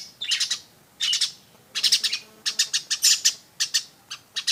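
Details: Weaver song: dense bursts of harsh, sizzling chattering notes in clusters of three to five, with short pauses between groups.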